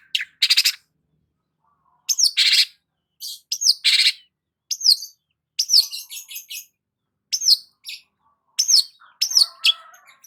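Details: Long-tailed shrike, cendet, singing while sunbathing in the morning: high, scratchy bursts and short downslurred whistles in scattered phrases separated by pauses, with varied chattering notes.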